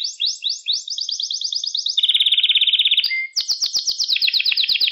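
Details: Canary song used to train young caged canaries: rolling rapid trills change tour every second or so, from bright rattling phrases to a lower dense trill, then a high chattering roll.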